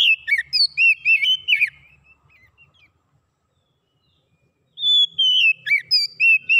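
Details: Oriental magpie-robin song used to stimulate a silent bird to sing: a quick outpouring of high whistled and slurred notes fades to faint twitters, then a long steady whistle opens a new loud phrase.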